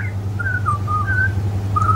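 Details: Butcherbird that visits a windowsill every day and perches on a stick in a garden, singing to a person: slow, clear whistled notes, gently falling then level, with low steady hum underneath.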